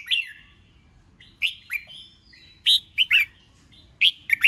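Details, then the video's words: Singing-contest red-whiskered bulbul, kept caged, delivering warbled whistled phrases: an opening note, a gap, then tight clusters of two or three bright downslurred notes. "Chào Mào Kích Bổi Nhanh Ra Giọng CHÉ CHÉT,Kích Chào Mào Hót Đấu | Chào Mào Kích Trống Hót"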